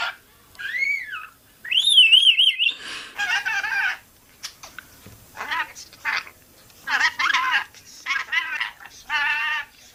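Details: Pet rainbow lorikeet talking and swearing indoors: a wavering whistle rising and falling, then a string of short, harsh, speech-like syllables in quick bursts separated by brief pauses.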